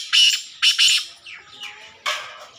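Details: Partridge chick calling alongside an adult partridge: loud, harsh, high-pitched bursts, two close together near the start, another pair shortly after, then faint softer sliding notes and a final strong burst about two seconds in.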